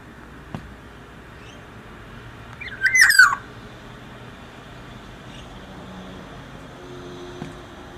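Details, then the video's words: Liquid, fluting whistle from a black-naped oriole singing freely: a single short looping phrase midway, with faint ticks and a low steady hum the rest of the time. "burung kepondang yg sudah gancorr"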